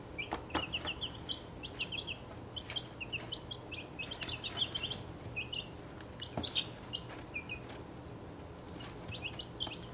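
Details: Six 1.5-week-old chicks of mixed breeds (Welsummer, Crested Cream Legbar, Partridge Plymouth Rock, Australorp, Buckeye, Golden Laced Wyandotte) kept in a travel box, giving rapid high peeps in quick overlapping bursts, with scratching and tapping thumps between.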